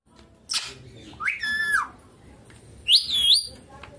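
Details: Pet ringneck green parrot eating chilli gives three whistled calls with clear overtones, a short one, then a longer rising-and-flattening note, then a high bending whistle near the end, over a quiet indoor background.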